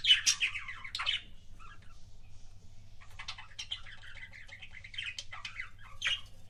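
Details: Pet budgerigar making kissing sounds: scratchy chirps and warbles open the sequence, then a short lull, then renewed rapid twittering chatter with sharp clicks, over a constant low hum.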